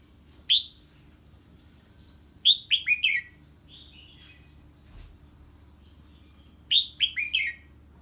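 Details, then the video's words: Red-whiskered bulbul, stirred by a strange bird, sings 'ché' phrases: a single sharp note, then two bursts of four or five rapid bright falling notes a few seconds apart, with a softer warble between. "Chào Mào Hót Ché Khi Nghe Tiếng Chim Lạ"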